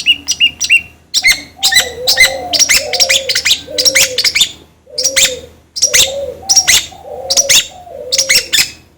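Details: Long-tailed shrike song used as a lure to make another bird sing; sharp high chirps and clicks in quick clusters, alternating with low cooing notes, repeated about every half second.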